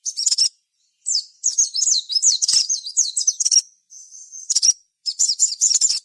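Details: Sogon in full song, played as a lure to draw other sogon into singing: dense high chirps and rapid twisting whistled phrases packed together, with brief pauses near one and four seconds.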